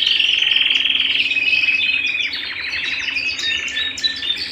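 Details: Canary singing indoors at home starts with a loud, fast rolling trill, then continues with quieter chirps and brief buzzy flourishes.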